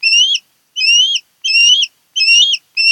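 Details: Osprey from a pair nesting on Kent Island, Maryland, nest camera recording of 10 August 2018: five strong, high whistled calls, each sliding upward at the end, repeated at intervals of roughly two-thirds of a second.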